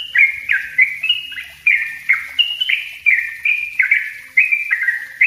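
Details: Lure and master recording of yellow-vented bulbul 'ropel rapat' song: fast, gurgling, chirpy notes packed closely together, each with a quick downward slur, delivered continuously throughout.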